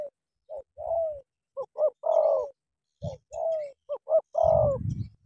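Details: Cà Mau 'tú' style spotted dove, used as a decoy facing a wild bird, giving two-part phrases of short clipped notes leading into a drawn-out descending coo, with low thumping sounds underneath.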